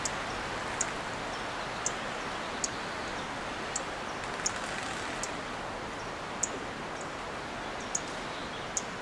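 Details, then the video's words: A Dark-eyed junco perched on a Monterey Pine branch gives sharp, very high 'tsip' calls, single and irregular, about one a second, over a steady hiss of wind or rustling. "Dark-eyed junco makes "tsip" calls"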